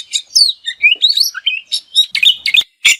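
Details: Kacer, the Oriental magpie-robin, sings a practice song with fills and bursts: quick rising and falling whistles and chirps in a lively run, then sharp clipped notes at the end.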